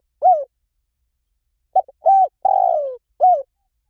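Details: One spotted dove phrase of low, soft coos: a single coo, a pause, then a quick pair, a drawn-out downslurred coo, and a final short coo, with a quiet background.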